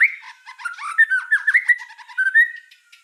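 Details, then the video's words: White-rumped shama in full 'gacor' song, a quieter, jumbled run of short warbled and whistled notes at mid pitch with a few sliding phrases, closing on a brief rising whistle. "Suara kicau burung murai batu gacor"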